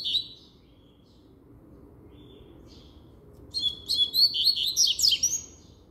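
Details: Double-collared seedeater singing firmly: after a quiet stretch with a few soft high notes, a fast burst of sharp, high chirps and twittering slurred notes runs over the last two and a half seconds.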